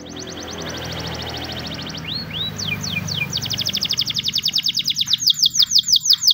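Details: Morning training song by a Spanish Timbrado canary: a rapid even trill, a few looping whistled notes, then a fast rattle of swept notes growing louder, with some background music.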